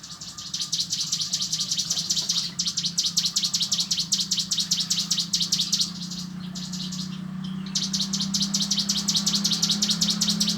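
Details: Cigun in a relaxed ngebren song: rapid, high, buzzy trill of short notes repeated about two or three times a second, in long bursts with brief pauses; steady low engine-like hum underneath.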